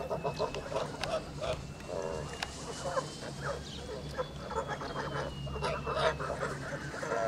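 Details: Male Kholmogory goose, pure white, aged 2 months and 26 days, kept on a farm; a rapid series of short nasal honks and chatter runs throughout, over a steady high electrical whine and a low background hum.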